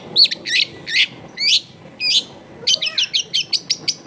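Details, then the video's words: Caged long-tailed shrike, recorded to spur a lazy bird into singing; several loud, sliding whistled notes, then a quick regular series of sharp chips about four per second. "CENDET GACOR SOLUSI PANCINGAN BUAT CENDET MALAS BUNYI"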